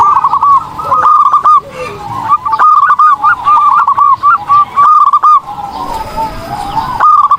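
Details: Zebra dove in vigorous song for training other birds: long chains of quick, bubbling, curled cooing notes, broken by brief pauses, with fainter echoing notes underneath and a thin high tone late in the recording.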